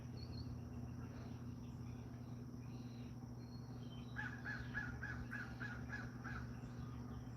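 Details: American crow calling outdoors: a run of about eight short, hoarse caws in quick succession in the second half, after a quiet stretch with steady low hum and faint distant chirps.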